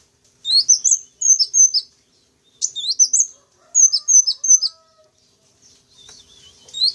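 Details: Lure sound for wild sunbirds: bursts of three to five sharp, high chirps with rising and falling sweeps, separated by short gaps; a softer buzzy twitter closes the sequence.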